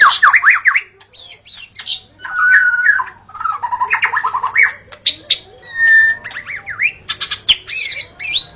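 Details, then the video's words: Forest recording of a white-rumped shama's varied song: quick zigzag whistles, dense chattering runs and a clear steady whistle, phrases separated by short pauses. "Murai Batu Auto Gacor: Simak Suara Asli di Hutan yang Memikat"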